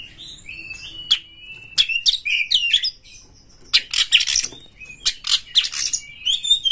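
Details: Oriental magpie-robin in Indonesia, provoked toward fighting, alternates sliding whistles with long loud harsh scratchy bursts, the song dense and continuous with short gaps.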